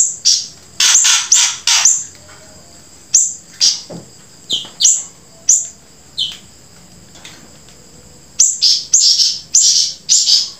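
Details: Grey-breasted prinia singing rapid clusters of short, high, buzzy notes at the start and end. In the middle, single flicked notes come about once a second.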